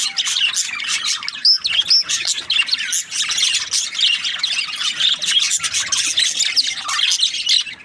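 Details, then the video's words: Budgerigars chirping as a group: a dense, continuous chatter of quick high twittering notes, squeaks and short warbles overlapping without pause, with a few clearer whistled chirps near the middle. "Budgies Parrot chirping sound | parakeet sounds"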